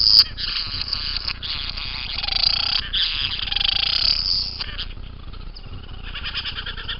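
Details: A young bowerbird utters grating, hissing calls. Long noisy phrases rise and fall in loudness, with a brief sharp click near the start and quieter broken rasps toward the end.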